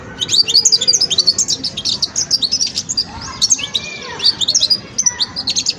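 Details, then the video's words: European goldfinch, a young bird still learning its song, delivering a continuous run of fast, high, jingling twitters and chirps, dense and lively throughout, over a soft background hum. "جان مقنين ويداني في مرحلة فرز التغريد"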